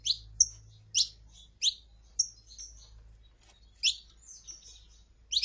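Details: Short, sharp, high saffron finch chirps, a female calling and a male singing, arrive in irregular bursts with gaps of about half a second to a second.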